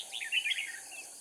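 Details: Decoy red-whiskered bulbul from Cao Phong singing at a trapping site in Kim Bôi, Hòa Bình, Vietnam, following rain; a single smooth warbled phrase of slurred whistles fading off, above a persistent high insect hiss.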